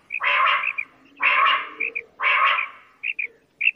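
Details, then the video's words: Quail giving three drawn-out, harsh, rasping bursts about a second apart, each followed by brief clipped notes singly or in pairs. "Bater Ki Awaz ! Bater"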